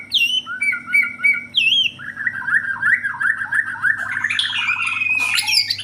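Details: White-rumped shama from Borneo singing: clear swooping whistles and repeated chipping notes open the phrase, then a rapid warbled, rattling run, ending in a sudden harsh high burst, with a low hum behind.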